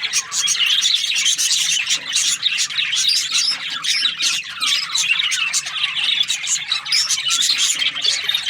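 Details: Australian parrot budgies chirping: a busy, unbroken chorus of high, scratchy warbles and short squeaks from several birds at once, with no pauses.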